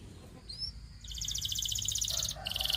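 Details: Canary song: a faint rising whistle, then a fast high rolling trill, followed by a short lower warble and a brighter chattering phrase, over background hiss.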